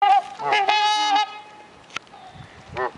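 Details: Two trumpeter swans honking at a bird sanctuary: a pair of loud, nasal, horn-like honks in the first second, then quieter background with a short faint call near the end.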